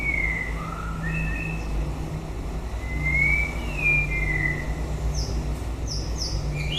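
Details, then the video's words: Closing the breeding season, a white-rumped shama sings mellow whistled notes, some rising and some falling, spaced roughly a second apart, then a few brief high notes, over steady low engine-like drone. "Chòe lửa bông hót cuối mùa sinh sản"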